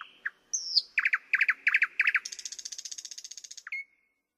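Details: A thrush nightingale gives a bright whistle, then five paired rich strokes and a long, fast rattle of rapid notes, closing with a single falling note.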